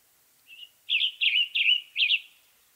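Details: Song of a western tanager, a medium-sized songbird of western North America: a soft lead note, then four hoarse, burry phrases given rapidly, rough and slurred.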